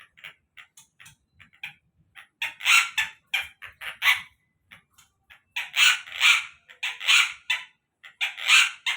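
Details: Collared kingfisher giving loud, harsh, buzzy notes in irregular bursts, quiet scattered clicks at first, then strong grouped calls repeated roughly every half second to second, with no other clear sounds.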